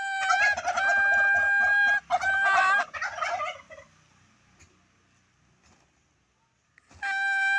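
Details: Turkey calling: two long, flat, harmonic notes, each breaking into a rapid bubbling gobble, then quiet before another loud drawn-out note begins at the end.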